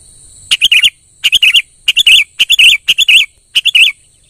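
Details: Kutilang, the sooty-headed bulbul, singing lively bubbly phrases of quick warbled notes in bursts of about half a second, repeated several times. A steady high electronic whine sounds in the background.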